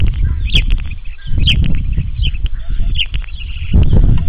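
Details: Starling copying calls of nearby birds, giving short high sharp chirps repeated roughly every half to one second over low rumbling background noise.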